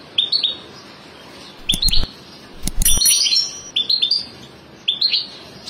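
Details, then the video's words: A European goldfinch family calling: quick clusters of bright, rising chirps repeated in bursts, broken by a few sharp knocking clicks. "عائلة الحسون"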